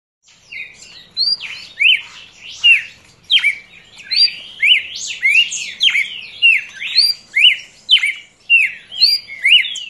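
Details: Young red-crested cardinal singing: a varied run of clear, sweeping whistled phrases with rising and falling slurs, delivered in short bursts about every two seconds, quiet background.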